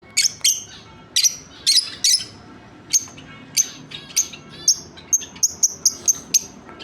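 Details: A pair of lovebirds giving sharp, high chirps in bursts, some clustered in quick doubles and triples, then a faster run of shrill notes toward the end.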